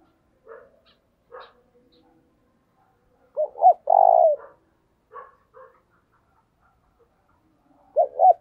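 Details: Spotted dove decoy bird cooing, used to train decoys and stir wild doves: a short burst of low, mellow coos in mid-clip, with soft scattered notes before and after, then a fresh coo at the end.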